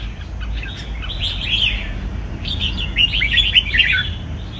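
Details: Caged red-whiskered bulbul uttering quick warbling whistled phrases in two bursts, the second busier and louder, over low background hum.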